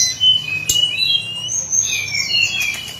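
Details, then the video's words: Hill blue flycatcher singing its daily song: a few thin, drawn-out whistled notes that waver and slide, over a low background hum and one sharp click. "Kicauan harian Tledekan gunung"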